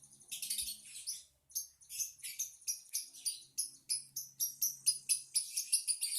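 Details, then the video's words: Lovebird twitter: fast, high, scratchy chirps repeated about twice per second, growing more even and rhythmic toward the end, with a faint low hum underneath. "Kicau Lovebird | Ocehan burung Lovebird"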